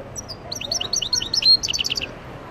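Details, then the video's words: Short phrase from an Algerian goldfinch: a string of bright, liquid twittering notes rising in pace, with one sustained clear whistled note in the middle before a final quick flurry of chirps. "مقنين تيواواطي Algerian goldfinch"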